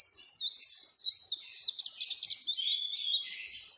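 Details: Oriental white-eye song played as a lure to get caged birds singing: rapid, high, twittering phrases with fast rising and falling whistles, continuous chatter throughout.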